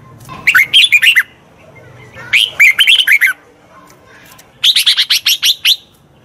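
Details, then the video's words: Red-whiskered bulbul song used to train the voice of a wild-caught bird: three loud bursts of quick, warbling, rising-and-falling whistled notes, each burst about half a second to a second long, separated by short pauses. "Tiếng chào mào luyện giọng chim bổi"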